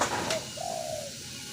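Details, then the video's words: A spotted dove's single low coo, a brief lead-in note and then a long, smooth, gently falling tone, heard against constant hiss. "burung tekukur bikin adem"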